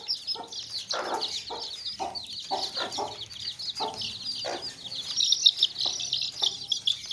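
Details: A crowd of baby chicks in a basket keeps up a constant high peeping, overlaid by frequent low, short clucks from hens.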